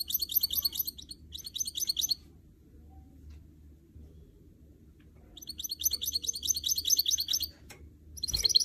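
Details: Singing canary x goldfinch hybrid: short phrases of bright, high chattering twitters and trills, broken by pauses of a few seconds, with a soft knock in the background.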